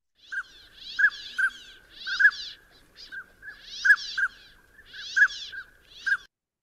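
Northern Pintail drakes give short, mellow mid-pitched toots mixed with four rasping buzzes like a tent zipper pulled fast, over roughly six seconds.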